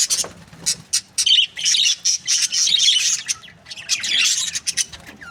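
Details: Breeding pairs of budgerigars chatter in bursts of high, scratchy chirps and squeaky warbles, several birds overlapping, with short gaps between flurries and a final rising squeak.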